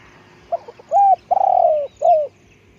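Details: One hoarse phrase from a decoy spotted dove, short broken opener then an arched coo, a long rolling descending croo and a falling closing note, against steady low background noise.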